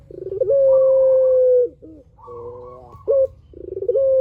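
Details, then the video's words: Spotted dove with long drawn-out song, meant to make other doves call back: a long steady coo after a pulsed start, a softer quieter coo, then a sharp rising note and a new rattle. "PUTER GACOR SUARA PANJANG | PANCINGAN BURUNG PUTER"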